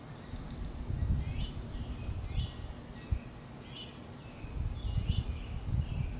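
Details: Hungry finch nestlings call to their feeding mother with four well-spaced, high, falling chirps, each a quick sharp sweep, against a bed of low muffled rumble.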